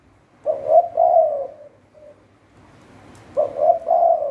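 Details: Spotted dove used as a decoy for trapping, giving two low cooing phrases about three seconds apart, the first trailing into a faint short extra note.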